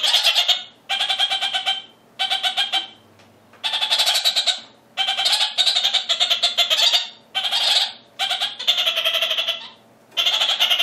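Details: A male red-crowned parakeet (Cyanoramphus novaezelandiae) gives harsh, nasal, bleating chatter in quick bursts with short pauses, directed at another male in the neighbouring aviary.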